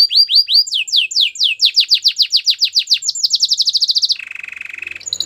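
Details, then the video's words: Song of a Belgian canary: runs of repeated sweeping whistles speeding into a fast bright trill, then a lower buzzy rolling tour and a short high note at the end. "Belgian canary song"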